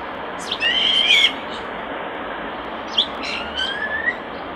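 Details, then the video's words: Common starling by its nest box: a level whistle with clicky overtones, then, after a gap, a burst of chirps ending in a soft, rising whistle. "Common Starling Bird Song and Call By Nest Box, Starling Nature Song Call, Vocalization"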